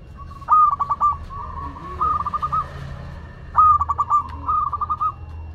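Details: Local zebra dove from Madura singing: a loud stuttering coo of quick beats, then a softer pulsed phrase, the pair repeated after a pause, with low background hum.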